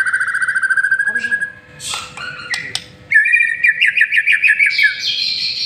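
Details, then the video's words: White-rumped shama singing a master lure song: a pulsing whistled trill, sharp clicks and chips, then a rapid rising and falling whistled warble. "Murai Batu Masteran sekali Pancing Langsung GACOR"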